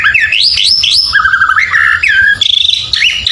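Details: Rich white-rumped shama song meant to rile neighbours' birds: rising whistled sweeps, a wavering lower warble, then high rapid notes and fast chattering phrases.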